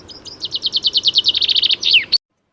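A male chaffinch sings a bright two-second phrase: a quick run of about a dozen repeated notes that speeds up and drops, ending in a sharp flourish.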